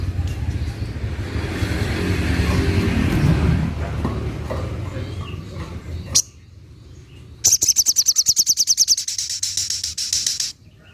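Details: Little spiderhunter (sogok ontong) firing off its 'tembakan': after a sharp click, a three-second barrage of high, rapid ticking notes at an even fast pace, with low murmuring background noise before it.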